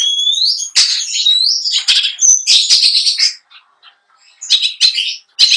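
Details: Long-tailed shrike contest bird giving a song packed with imitated fill phrases. It opens with an upslurred whistle, then dense scratchy chatter, a brief gap, and further harsh bursts.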